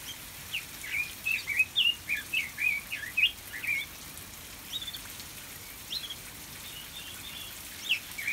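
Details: Red-billed leiothrix, a Pekin robin kept in an aviary, sings a lively run of short, bright, slurred whistles early on, then scattered softer phrases over a faint hiss.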